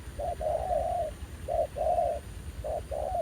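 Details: Spotted dove, a new wild bird reacting keenly to a ground decoy during trapping at a site revisited after a year. Three clear phrases, each a short hoot then a longer soft coo that tails off downward.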